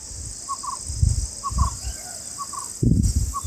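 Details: Bulbul father sounding warnings against a predator near its chicks: clipped double notes repeated about every second, with low thumping bumps and a constant high insect drone behind.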